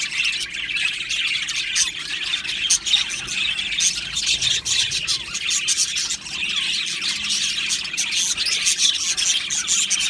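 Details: Colony of budgerigars in an aviary chirping: an unbroken mass of high twitters, warbles and short squeaks from many birds throughout.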